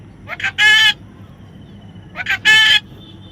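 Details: Baby parrot calling twice, each a quick rough lead-in note followed by a loud, buzzy, drawn-out screech, about two seconds apart.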